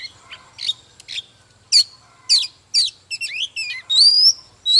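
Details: Wild-caught adult Oriental magpie-robin in agitated morning song and dance: scattered sharp chirps, then a rapid run of twisting whistled notes ending in a long rising whistle.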